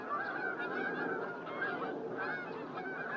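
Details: Many whooper swans recorded at Starene, 2023, giving loud trumpeting honks that overlap into an unbroken, busy chorus of nasal, slightly rising notes throughout.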